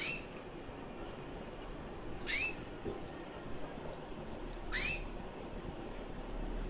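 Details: Female recessive white canary, around one year old, red-factor eyes, giving three high, upswept chirps spaced about two and a half seconds apart, with faint clicks and low hum between them.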